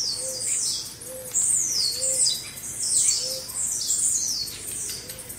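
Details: Blue-black grassquits singing together in a 'baderna' group recording used to train caged birds: overlapping high, buzzy, downward-sweeping notes repeated in rapid succession, with a soft low note recurring about once a second beneath them.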